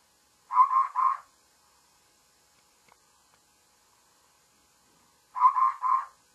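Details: Babbler in the morning giving two harsh, buzzy notes, then after about four seconds of quiet a burst of three similar rasping notes.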